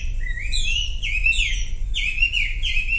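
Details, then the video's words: Sumatran leafbird singing, a lure to make silent birds sing: rising and falling slurred whistles in quick, overlapping phrases, with a low background rumble. "SUARA MASTERAN WAMBI UNTUK YANG DIAM IKUT KICAU"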